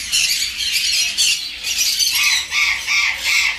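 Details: A captive, close-ringed adult bonded pair of Black-capped lories giving harsh, screechy squawks in bursts about once a second, loud and high-pitched with a noisy, rasping tone.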